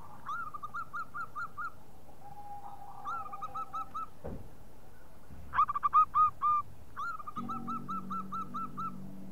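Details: Local zebra dove lure call: short soft runs of rapid mid-pitched cooing notes spaced by quiet stretches, one louder cluster near the middle, a low steady hum at the end.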